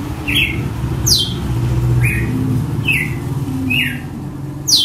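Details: Red-cowled cardinal in açoite song style, delivering about six loud, snapping downslurred whistles that alternate between high and lower notes, with a steady low-frequency hum underneath.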